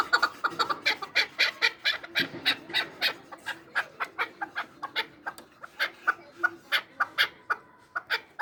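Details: Chukar partridge of Samarkand calling with a steady stream of dry, clucking chuk notes, roughly three per second, harsh and broadband, continuing evenly throughout.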